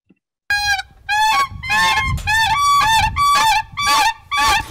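Siberian crane unison call: clear, flute-like whistled notes, about eight in four seconds, each slightly rising and falling, with a soft murmur of background noise.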